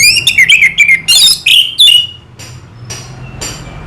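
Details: Anis merah, known in English as orange-headed thrush, gives a two-second 'selow' phrase of rapid warbled whistles and harsh chattering notes, followed by a few faint distant clicks.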